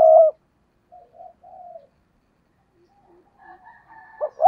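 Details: Decoy spotted dove: the tail of a loud low coo, soft answering coos from a more distant dove, then the clipped opening notes of a new phrase.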